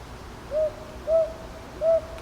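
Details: Three gentle hoots of a northern boobook, each slightly rising then falling, spaced under a second apart; recorded in Ichijoji, Kyoto, on 22 May 2023.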